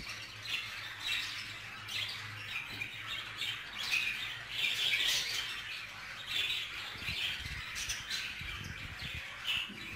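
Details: Budgerigars in shared housing, a jealous male fussing over a female; harsh squawks and scratchy chirps pour out in uneven bursts, with low thumps and rustling near the end.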